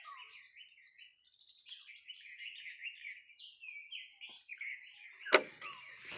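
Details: In Purbasthali forest, a paradise flycatcher gives a quick, continuous chain of chirpy, slurred notes in a mid-high pitch, with a sharp knock near the end.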